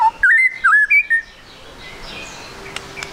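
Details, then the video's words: White-rumped shama song used as a lure to make the bird sing quickly: a brief burst of clear whistled notes and slurred upsweeps near the start, then faint background hiss with a few clicks. "MURAI BATU GACOR, PANCINGAN MURAI BATU TROTOL AGAR CEPAT BUNYI"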